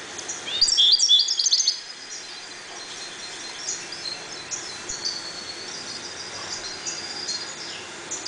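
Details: Caged European goldfinches, calm and breeding in a 1.20 m cage, give a loud burst of bright, tinkling twitter in the first two seconds, then softer scattered high chirps continue over a faint background hiss.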